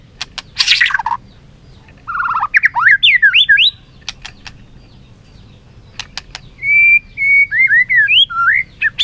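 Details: White-rumped shama singing competitively while flicking its tail: a burst of harsh noise, then rising and falling whistled phrases around two seconds long, with sharp clicks scattered between, and a later run of steady whistled notes ending in swoops.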